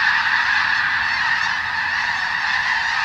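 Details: Several thousand snow geese feeding on newly sprouted wheat on the Skagit Delta, Washington State: a dense, continuous wall of overlapping honking and yelping calls from the massed flock, without break.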